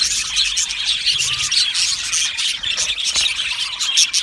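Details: Aviary colony of budgerigars chattering happily: busy overlapping high chirps with a few sharper squawky notes, a constant warbling twitter from many birds.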